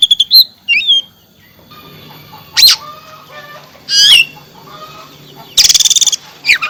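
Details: Oriental magpie-robin mixing sweet slurred whistles with sharp downward-sweeping notes and a harsh pulsed buzzy rattle near the end, with quiet gaps between phrases.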